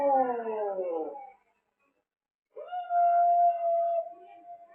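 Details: African grey parrot known for copying human words. A drawn-out, falling, howl-like voiced sound comes first, then after a pause a long, steady, pure whistle that fades away.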